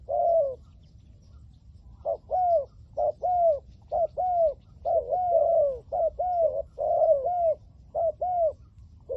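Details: Decoy spotted dove, 'liu tan' voice type, calling to lure wild doves: paired coos, a short note and a longer downslurred one, repeated about once a second in a steady run, with faint background hum.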